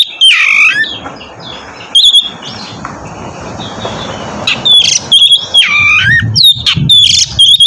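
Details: Oriental magpie-robin song meant to draw another into singing: swooping whistles and a downward sweep over a steady hiss, then more whistled and harsh notes toward the end.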